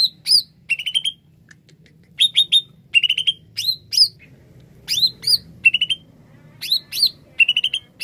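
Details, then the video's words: A greater green leafbird pours out bright, varied whistles and chattering phrases in quick bursts about every half second over a low hum; this song is used as a lure to attract wild birds. "Kicau Cucak ijo gacor"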